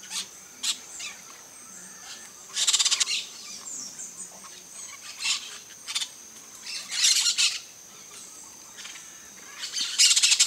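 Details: Peach-fronted parakeets gathered in a flock at a Brazilian feeder: rasping screeches come in separate bursts every second or two, with several louder grating clusters.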